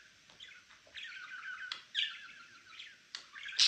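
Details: Pet male budgerigar producing a continuous scratchy warble of high chirps, ending in a loud sharp squeak.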